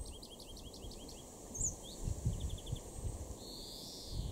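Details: European greenfinch (Chloris chloris) in a garden in Weener, East Frisia, northwest Germany, in July 2022: a quick series of repeated twittering notes, a brief trill, then a drawn-out nasal wheeze over steady low rumbling.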